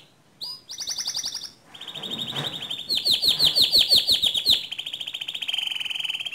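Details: Canary singing to train other canaries: high rapid trills shift into a steady buzzy roll, then a run of repeated pulsed notes and a sustained fast trill.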